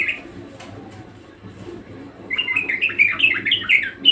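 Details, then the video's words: Budgerigar singing hard; after a short chirp and a quiet pause of about two seconds, a fast, dense run of chirping warble notes resumes and continues to the end. "Burung parkit gacor ngotot"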